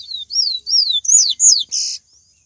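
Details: Yellow-bellied seedeater singing in the wild, 'baiano' song style: loud, clear, high whistled phrases, each swooping up then down, about five notes in two seconds and ending in a harsher buzzy note, in a quiet setting.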